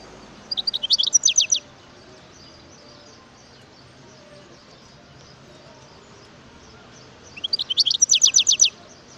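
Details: Two brief bursts of song from a wild European goldfinch: rapid, bright chirping phrases of high notes, the first short and the second longer, separated by a long quiet gap.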